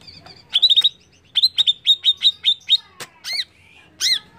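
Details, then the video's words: Greater green leafbird singing to provoke other birds: quiet opening, then a fast run of bright chirps at a steady high pitch, followed by two loud harsh arched calls. "PANCINGAN CUCAK IJO CEPAT EMOSI"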